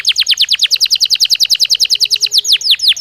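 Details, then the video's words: Belgian canary, singing naturally, giving a rapid rhythmic string of bright downward-slurred chirps, roughly seven per second, slowing slightly toward the end. "Canario Belga Cantando Naturalmente"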